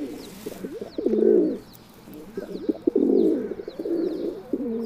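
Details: Low, rolling coos of a feral pigeon (Columba livia), two swelling phrases each ending in a louder throaty burst, with light clicks and faint distant bird chirps.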